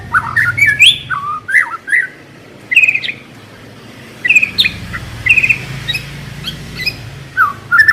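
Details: White-rumped shama song used as a lure to get a shama singing quickly and freely: varied clear whistled phrases, some rising and some falling, separated by short pauses, with scattered high sharp notes above.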